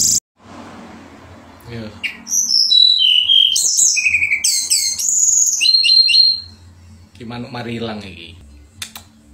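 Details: Shortwing called tledekan pring in lively gacor song with nembak and ngerol: a quick burst of varied high whistles, slurs and buzzy notes after a quiet start, then a softer noisy passage.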